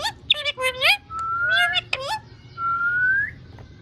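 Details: A pet rose-ringed (ring-necked) parakeet talks clearly in a high, slightly nasal voice, saying "Mian Mithu chori khani hai", running quick syllables together before finishing with a long rising whistle.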